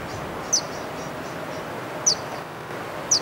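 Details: Verdin recorded at Barstow Community College in Barstow, California, in March 2015: three sharp, very high, downslurred chip notes spaced about one and a half seconds apart over a steady low hiss.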